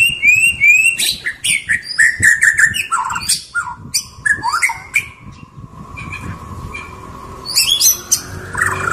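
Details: White-rumped shama, a tame bird, delivering a rich varied song: rising whistles, rapid chattering bursts and a long wavering mid-pitched note, with quieter pauses and harsh notes near the end.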